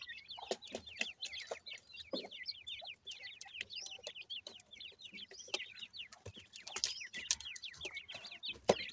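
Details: Many grey francolin chicks peeping at once, a continuous flurry of bright downslurred chirps, broken by frequent clicks and light thumps.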